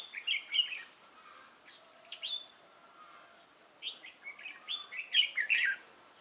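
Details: A newly caught wild red-whiskered bulbul sings competitively, 22 October 2018: lively bubbling phrases of mellow whistles at the start, a pause, then a longer rapid tumbling sequence of bright notes.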